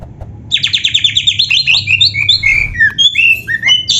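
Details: Oriental magpie-robin (kacer) singing in the gacor full isian style: after a quiet start, a rapid run of repeated buzzy notes, then varied slurred whistles that rise and fall, high and clear over a low background hum.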